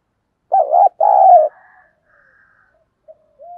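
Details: Spotted dove kept as a lure bird to provoke wild doves, giọng thổ voice, uttering a two-part cooing phrase: a wavering first note and a longer sustained second, followed by quiet and faint soft coos.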